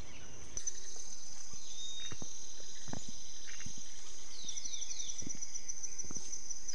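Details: In the Yabotí Biosphere forest of Misiones, a large woodpecker on a dead tree knocks on wood in sharp, scattered raps, some in quick pairs, under a steady high insect drone and forest hiss.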